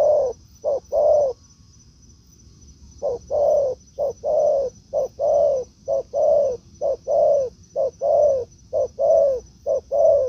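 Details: Spotted dove cooing in forest during a decoy session with a wild bird; after a short gap, a long steady run of paired coos, quick note then held note, about once per second, over a faint high drone.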